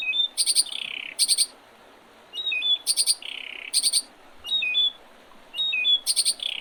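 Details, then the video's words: Spring song of birds on the Oredezh River, Leningrad Oblast, Russia, 8 April 2023. Short whistled notes alternate with loud, very high buzzy bursts and a descending slurred note, with the pattern repeating several times. "Весеннее пение птиц"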